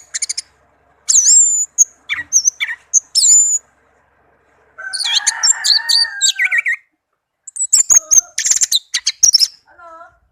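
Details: Tame orange-headed thrush in varied song: high whistled slurs, a buzzy chattering passage, dense high warbles and a few soft descending notes at the end.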